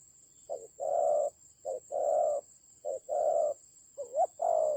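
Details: Spotted dove used as a decoy bird in a fight, recorded in the Central Highlands forest of Vietnam: soft low coos in repeated pairs, a short note followed by a longer hollow one, about every second, with a steady high electronic tone behind.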